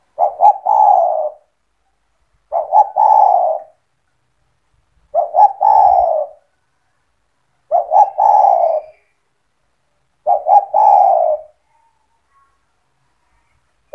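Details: Actively calling kept spotted dove (tekukur), used to draw other spotted doves into calling: five evenly spaced phrases about every 2.6 seconds, each a stuttered double note and then a long, hollow, falling coo.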